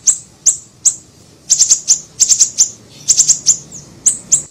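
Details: Small siri-siri bird in a lure recording for attracting birds: thin, very high-pitched ticking chips, some single and some in rapid clusters of three or four, about one a second overall.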